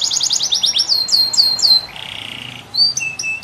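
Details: Canary singing a fast run of descending chirps, then slower drawn-out down-slurred whistles, a brief buzzy rattling trill, and short high whistled notes at the end.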